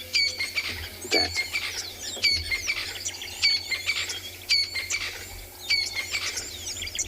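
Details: Crested francolins at sunrise on 3 November in Tswalu Kalahari Reserve, South Africa, give harsh, grating rattles in overlapping bursts about every two seconds; they call together after separating to feed. Other birds, including a laughing dove, chirp softly.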